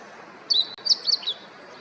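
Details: Meadow Bunting, a familiar wild bird, singing a quick phrase of high, sharp chirped notes in two clusters, with a brief gap between, against a quiet outdoor background.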